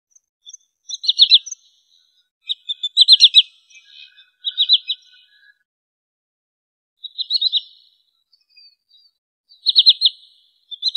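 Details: Wood sandpiper calls used as a lure for trapping and hunting: bursts of three to four sharp, high whistled notes in quick succession, repeated at intervals of one to three seconds, with a faint lower note near four seconds; otherwise quiet.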